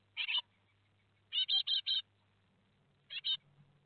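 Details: Great tit young, four fledglings leaving the nest at Théding, 17 July 2020, watched by a nest webcam: a short harsh burst, then a run of four raspy, buzzy calls, then a final pair, with soft low rumbling between them.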